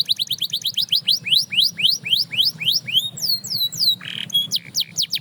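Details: Canary singing so that other canaries start singing again: accelerating series of upswept whistles, then high slurred falling notes, a short harsh burst, and quick sharp chirps.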